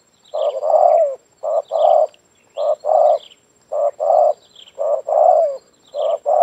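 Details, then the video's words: Spotted dove calling in a yard, its call used to lure doves. Paired coos repeat steadily, a short note then a longer rolling one, about once per second. Faint high chirps from other birds sound behind. "Mikat Tekukur - di laman dengar suara BL idaman kawan sehobi"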